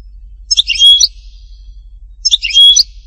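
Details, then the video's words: Two brief twittering phrases from a European goldfinch at Hattatba, Tipaza, each a quick cluster of sharp chirps about half a second long, spaced under two seconds apart. "chant chardonneret htatba tipaza حسون حطاطبة"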